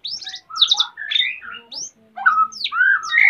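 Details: A captive male white-rumped shama in breeding condition, wanting to mate while the female builds a nest, at Salaman, Magelang, Central Java. He sings rich whistled phrases with rapid trills and sweeping slurred notes, broken by short pauses.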